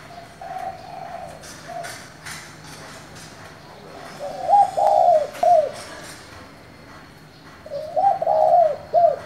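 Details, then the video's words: Spotted dove calling in the local style to provoke other doves, a low cooing phrase of a short note then a longer wavering coo and a final clipped note, given twice, over steady outdoor background noise. "Cu gáy giọng thổ gọi, thúc kích bổi nhanh nổi"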